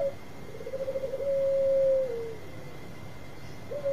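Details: Bangkok-type zebra dove singing often, used to lure others: a soft run of rolling coo pulses leads into a long, steady, mellow tone that slides down at the end, then a fresh note starts, over a faint constant hum.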